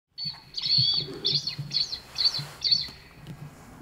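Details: Blood pheasant in the wild in the eastern Himalaya: a series of high, squeaky chirping notes at roughly two per second, each a short bright burst, over a steady low hum in the background.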